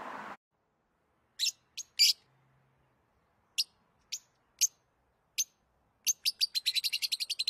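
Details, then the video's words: Lovebird chirping: a brief low rumble opens, then sharp, high, clipped chirps come singly or in pairs at uneven gaps before speeding into a rapid run of bright chirps about ten per second. "Love birds sounds"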